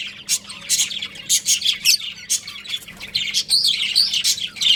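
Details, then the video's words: A caged budgerigar breeding pair produces quick, high chirps and rolling warbled twitters in a near-continuous stream, with notes packed several per second over a steady low hum. "Adorable Budgies Chirping Sounds"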